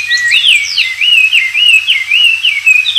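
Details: Oriental magpie-robin (wambi) singing vigorously in the wild, recorded as a tutor song for white-rumped shamas: a continuous run of sweet, slurred whistles rising and falling, with quick looping notes and no pauses.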